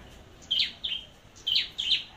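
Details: Red-whiskered bulbul in competitive singing, a bird chosen as a decoy, near Long Thành: four loud, bright whistled notes around 3k, in two pairs about a second apart, over quiet background.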